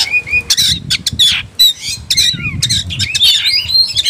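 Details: Oriental magpie-robin worked up to fight, singing loud harsh chatter mixed with clear whistled slurs and descending notes, with faint low background rumble.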